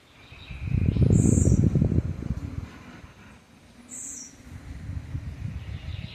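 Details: Blue-black grassquit giving its bell-style song, known locally as 'campainha': two very high, brief buzzy notes about three seconds apart, over loud low rumbling noise.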